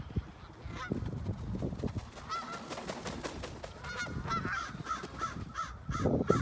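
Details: Canada geese loafing on a snow-covered field in Ontario, Canada, December 2018, recorded on an iPhone 8; scattered nasal honks become a run of repeated calls from several birds, with low background noise throughout.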